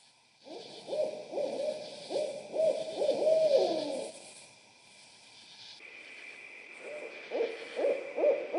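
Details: Barred owls calling in a laughing chorus: rapid, hooting and cackling notes around mid-low pitch in bursts, with a quiet pause before a second, softer round of hoots; a steady faint hum runs throughout.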